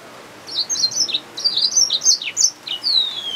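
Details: A yellow-fronted canary mule, hybrid finch, delivers a lively string of high twittering notes and dropping slurs, finishing with a long thin whistle that glides downward.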